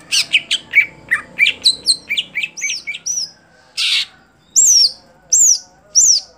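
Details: Greater green leafbird, a caged contest songbird, delivering fast varied chirps and slurred whistles, then loud, high, descending whistled notes repeated at regular intervals.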